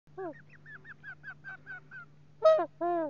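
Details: A father common loon on the nest camera in 2020 hoots at his chick stuck in weeds on the nest: about nine short, soft hoots, then two louder, harsher notes as his voice cracks, over a low electrical hum.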